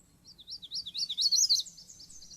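Magnolia warbler song: a quick series of high, sweet, slurred notes rising in strength over about a second and a half, with a low hum beneath.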